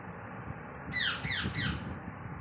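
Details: Mischievous cockatoo bothering a cat: three rasping squawks, each sliding downward, given in rapid sequence over a low indoor rumble.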